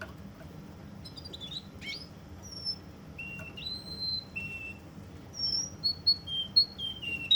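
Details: Russian canary from Kuwait, mostly quiet at first with a few scattered high notes and slurred whistles. It then builds into a run of sharp, descending whistled notes repeated in quick succession.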